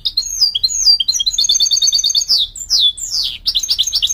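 A mule goldfinch sings a quick, varied song of bright twitters, rolled trills and sweeping high notes.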